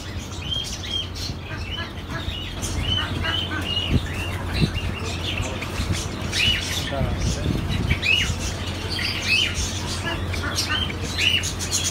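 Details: Java sparrows in Oman give short, bright chip notes, several overlapping in quick succession, over a steady low hum and background rumble.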